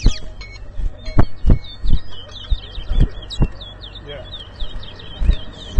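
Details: Large-billed seed finch, locally towa towa, singing in a 2022 contest at Rosehall Town, Guyana: steady series of short high chirped notes while spectators talk and clatter close by.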